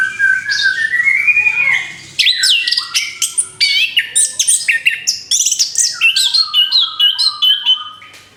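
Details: Post-moult orange-headed thrush sings a rising whistled phrase, then launches into a rapid, lively run of sharp chirps, downslurred whistles and short trills, about three notes a second, gradually fading at the close.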